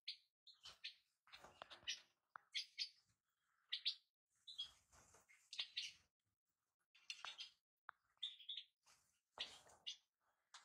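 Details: Repeated bright chirps and liquid twitters of European goldfinch, delivered in quick groups over several seconds with short gaps. Light clicking and rustling is audible in the background.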